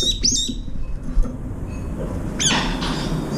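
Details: Brown-eared bulbuls, one to three at a time, visiting a window-side feeding dish to eat; two brief, sharp, high rising call notes early on, then a later burst of harsh, noisy call sound over low background rumble.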